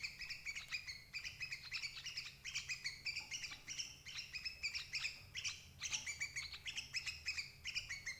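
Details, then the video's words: Sooty-headed bulbul lure call for trapping adult birds: steady chattering in repeated short bursts, each a tight cluster of sharp, bright notes, recurring roughly twice per second, low hum behind. "suara burung crucuk ampuh jebak indukan"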